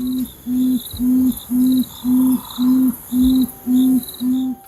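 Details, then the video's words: A nocturnal tawny frogmouth gives its repetitive droning call, a low oom-oom-oom of about two soft booming notes a second, steady and even, over faint high insect trilling. "The call of the tawny frogmouth is a repetitive droning noise."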